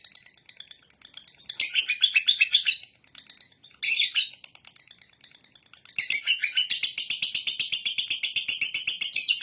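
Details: Lovebird delivering ngekek song, short loud bursts of raspy chatter separated by quiet ticking, ending in a long, even rattle of rapid high pulses.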